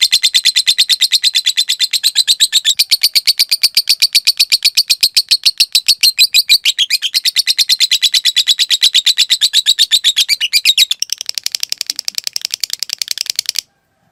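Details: Long 'ngekek panjang' chatter from a caged lovebird, used to tutor other lovebirds: a sustained fast rattle of high buzzy notes lasting over thirteen seconds, slightly changing in texture toward the end before stopping abruptly.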